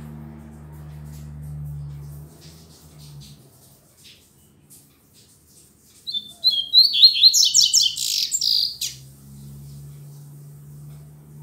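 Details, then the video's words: A double-collared seedeater singing in the morning, its song still weak. A quick, scratchy burst of high whistled and buzzy notes lasts about three seconds between stretches of low droning hum. "Coleiro Mack Cantando Muito Pela Manhã"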